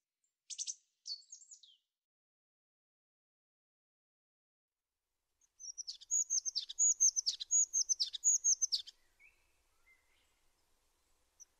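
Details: Tit singing: two brief high notes early on, a long pause, then a three-second run of rapid, high repeated notes with buzzy overtones, tailing off into soft twitters.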